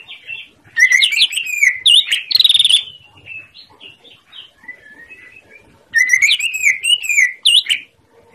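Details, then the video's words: Greater green leafbird in vigorous song for coaxing silent birds to sing: a dense burst of rapid twitters, slurred whistles and a buzzy rattle, a quieter middle of short whistles, then another loud varied phrase. "Masteran Cucak Ijo Gacor l Yang Macet langsung nyaut"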